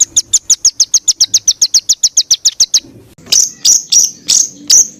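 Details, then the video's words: Songbird fill phrases used as masteran for training kicau birds: quick series of sharp, down-slurred high notes about six per second, a pause, then five harsh, scratchy chips. "BURUNG FULL ISIAN TEMBAKAN"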